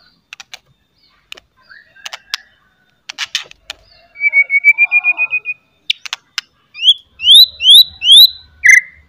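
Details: White-rumped shama in top singing form, with loud chatter and sharp whistles used to provoke other shamas into singing: sparse clicks, then a rapid even trill for over a second, followed by a series of loud rising whistled sweeps and a final lower note.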